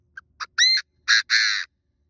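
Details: Chinese francolin used as a decoy bird to lure and trap wild birds, calling a loud harsh phrase: a short note, then a rising whistled note and two long buzzy strident syllables, with quiet surroundings.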